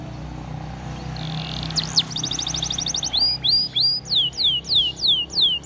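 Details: Belgian canary singing for training: after a quiet start, a fast rattled trill from about two seconds, then loud downward-sweeping whistled notes repeated roughly three times a second, over a low background hum.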